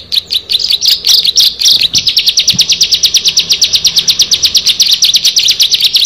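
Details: Bar-winged prinia, one of six birds, opening with jumbled high twitters, then a fast, even series of sharp chirps lasting several seconds, with a couple of soft knocks.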